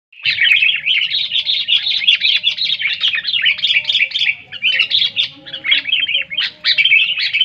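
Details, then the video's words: Sooty-headed bulbul singing loudly, a lure to get quiet bulbuls singing: a continuous run of bubbly, chattering notes in quick succession, with faint low humming and steady tones underneath. "SUARA BURUNG KUTILANG NYARING"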